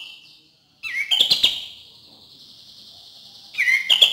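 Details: Cream-vented bulbul song used as a lure to stir birds that are lazy to sing; two bursts of bright chattering notes with a sustained high whistle ringing between them.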